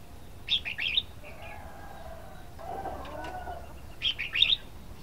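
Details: Red-whiskered bulbul delivers two lively phrases of three or four quick, bright notes, roughly three and a half seconds apart, with soft low hums and rustles in between.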